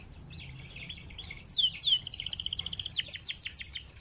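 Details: Canary of the panda colour variety, a caged bird, singing a sweet song meant to prompt other canaries to sing: soft warbling first, then loud rapid trills and a series of fast downward-sweeping whistled notes at a high pitch.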